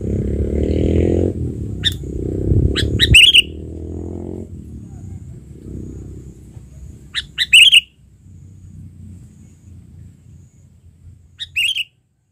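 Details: Albino sooty-headed bulbul, tame and trained after trapping, back in the wild. Short, sharp warbled chirp bursts come about every four seconds, three in all. A man talks over the first few seconds, then low background noise.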